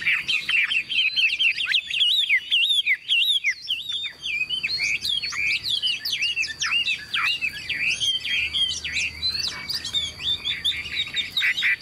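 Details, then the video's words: Hanging indoors, a large, tame hwamei with golden-yellow legs and bill pours out rich song, with quick whistled slurs, sharp upward flicks and chattering phrases tumbling one after another without pause for about twelve seconds. "Đang treo hot, bây giờ em sẽ sách tay để cho anh em mình thấy được cái độ thuần của chim các bác nhá."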